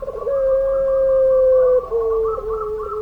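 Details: Puter pelung dove delivering one long drawn-out coo, a pure steady tone held nearly two seconds, then a brief break and a slightly lower sustained note, with rich overtones throughout.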